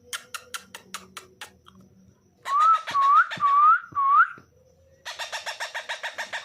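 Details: Fifteen-day-old baby parrot calling in its natural voice: a rapid train of short raspy pulses, then four drawn-out, rising, rich whistled cries, and finally another fast burst of harsh repeated pulses.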